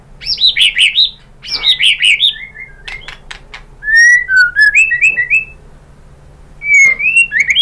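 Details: White-rumped shama lure song urging other birds to sing, with loud, rich tumbling trills, then a series of short rising whistles repeated in a row, and a final trilled burst.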